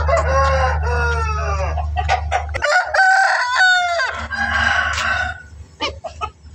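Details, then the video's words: Aseel roosters crow in several long, hoarse, drawn-out calls that overlap one another, over a steady low mechanical hum. "Aseel Murga Ki Awaaz - rooster crowing sound effect"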